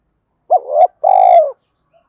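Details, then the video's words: A single spotted dove phrase in the urging and calling coo styles, used for training caught and decoy birds: a short rising opening note, a brief break, then a drawn-out level coo, followed by a faint distant peep. "Tiếng cu gáy Thúc + Gáy Gọi dùng luyện bổi và tập mồi gáy sung mãn mỗi ngày"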